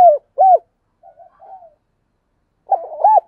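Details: Spotted dove used as a decoy, calling to provoke other doves. Two loud hooting notes, a stretch of faint murmured cooing, then a rolled, arching coo pair.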